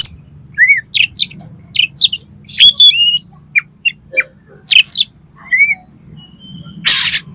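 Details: Oriental magpie-robin (kacer) song meant to make another kacer sing and fan its tail: scattered sweet whistles and chirps at varied pitches, a quick trilled passage, and a closing harsh hissy burst.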